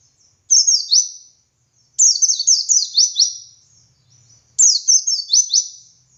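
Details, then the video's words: Dakun white-eye singing in the lively ngalas style, a recording meant to train other white-eyes: three bursts of high, rapid twittering, each a run of sharply descending notes lasting about a second, separated by short silences. "Masteran Suara Burung Pleci Gacor Ngalas Nembak Buka Paruh"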